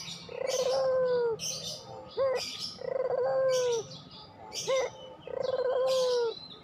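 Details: Puter pelung dove singing in a steady cycle: a long smooth low coo, then a quick rising note, repeated about three times; high-pitched twitters from other birds accompany each phrase.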